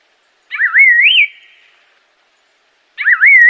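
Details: Assam laughingthrush song: two clear whistled phrases about two and a half seconds apart, each a wavering, warbling rise ending in a higher slurred note, with a faint echoing tail and otherwise quiet background.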